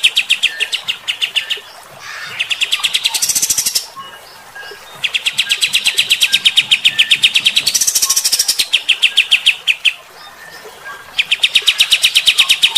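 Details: Bulbul in a birdkeeping recording played to provoke fighter-type birds, a harsh, energetic 'tembakan' song: fast runs of rapid metallic notes repeated several per second, in bursts of two to three seconds with short gaps.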